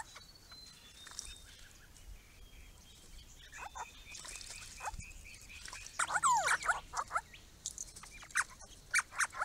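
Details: Grey-crowned babblers, a small group visiting a purpose-built garden pond on a property, giving mixed chattering calls. A loud, ringing call with sweeping rising and falling notes stands out at about six seconds, followed by busy overlapping chatter.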